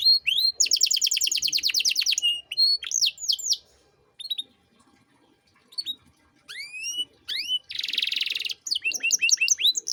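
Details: Canary master song for teaching other songbirds, luxurious 'cengkok mewah' phrasing: a fast repeated trill, scattered sweeping whistles, a quiet gap of about two seconds, then a buzzy burst and quick upslurred notes.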